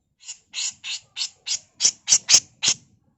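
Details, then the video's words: Female grey-cheeked bulbul, recorded as a master tutor in the harsh 'mbeset kasar' style, delivering a steady series of nine short rasping, hissy notes at about three per second, growing louder toward the end. "Masteran Burung CUCAK JENGGOT FULL MBESET KASAR || Cucak jenggot betina"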